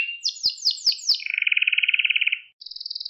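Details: Song of a canary, recorded for song training of young birds: a series of down-slurred chips, then a steady rolling trill and a short high pulsed phrase.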